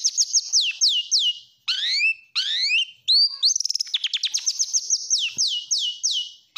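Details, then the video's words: Stressed oriental magpie-robin song meant to provoke other birds into singing and to serve as a daytime tutor: loud, clear downslurred whistles repeated quickly, rising sweeping notes, a rapid ticking trill, then more falling whistles. "Pancingan Kacer Stres, dijamin 90 % Nyaut. Bisa buat Masteran Siang."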